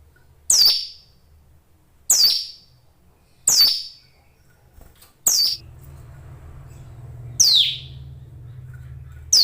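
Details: Hill Prinia, a kept songbird, singing loudly: sharp, high, downward-slurred notes about every one and a half seconds, six in all, with a low droning hum in the later part.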